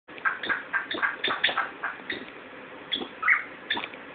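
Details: Pet Timneh African grey parrot, 14 years old, chatty and content indoors after a recent move to a new house; a busy run of short squawky chirps and clicks in quick succession, with a brief brighter squeal near the end.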